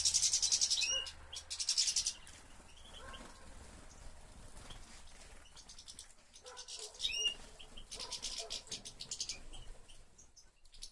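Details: Captive European goldfinch kept by a breeder of European finches, recorded in 2013, sings high, fast twittering bursts with buzzy trills and tinkling notes. Loud phrases open the recording and return later, with quieter chatter between them.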